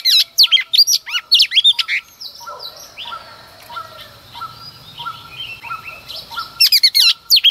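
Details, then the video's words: At dawn a female Oriental magpie-robin sings to excite males: a fast volley of high varied chirps, a quiet gap with faint soft repeated notes in the background, then another rapid burst. "Choè than mái hót kích trống hót căng sáng sớm"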